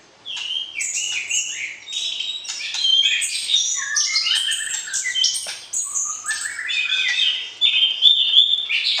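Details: White-rumped shama singing during matchmaking to arouse a partner before breeding; lively varied phrases of high whistles, chattering notes and rising slurs poured out almost without pause.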